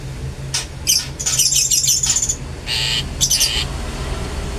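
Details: Long-tailed shrike song used to provoke other shrikes: harsh, buzzy bursts of broadband notes with a grating high squeal, in several short phrases separated by brief pauses, over a low steady hum.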